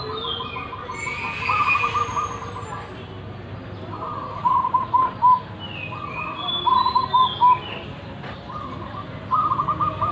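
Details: Zebra dove of local stock known for a big voice repeats trilled, bubbling coo phrases, several across ten seconds, each ending in distinct hoots; high rising whistles and chirps of other birds and a brief high hiss appear behind.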